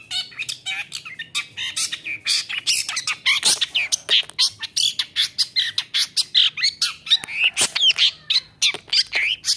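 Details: Long-tailed shrike singing hard to provoke rival shrikes: fast, dense jumble of harsh scratchy notes, squawks and whistled chips, nearly continuous with rapid bursts throughout.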